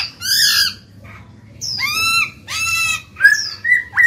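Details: Caged black-throated laughingthrush singing to stimulate newly caught birds to sing: loud, rich whistled notes that slide down, each about half a second long, with short pauses between them, ending in clear rising whistles.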